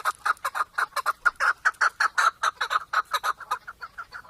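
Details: Chukar partridge calling: a fast, steady series of harsh, clucking chuk notes, roughly five per second, rising and falling slightly in loudness throughout.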